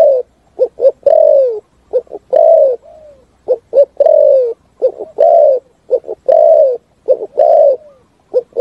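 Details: Spotted dove delivering a complete, resonant song in forest: a steady run of phrases, each two or three short coos ending in a long, gently descending coo, about seven phrases in a row.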